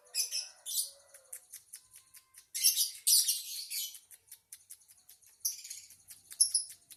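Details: Lovebird twittering song: harsh scratchy chatter and shrill squeaks in bursts, with quick clicking notes between louder bouts.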